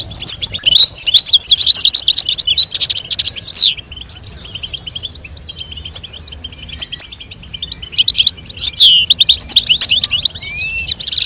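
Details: European goldfinch, female calling and male singing for mating; loud bursts of rapid chattering twitter and trills, a quieter gap in the middle, then renewed twittering with upward-sweeping whistles.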